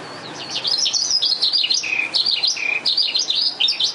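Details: Oriental skylark, a thoroughbred bird from Vietnam, pours out continuous high warbling with twisting, slurred notes and short dips to lower whistles, delivered fast and without pause.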